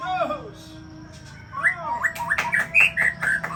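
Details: White-rumped shama, called murai Aceh, a champion breeding bird, giving a soft descending whistle, then a quickening run of sharp upslurred whistled notes about twice a second, growing louder.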